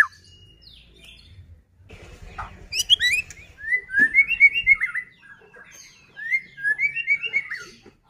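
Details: White-rumped shama song played as a lure to make other shamas sing: after a quiet start with low rumbling, high squeaky notes lead into rapid clusters of bright, ringing whistled phrases repeated in bursts.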